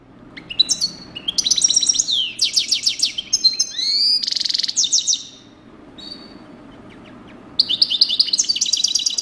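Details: A 'coupleur' European goldfinch delivers a fast, sustained run of liquid twitters, buzzy trills and rising whistled slurs, briefly pausing before a further chattering burst; steady low hum beneath.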